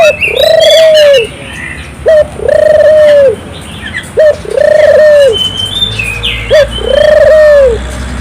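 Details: Gacor Barbary dove cooing to stimulate local doves: four two-part coos, a brief clipped note then a long steady hollow tone, about every two seconds, with faint chirps of other birds between.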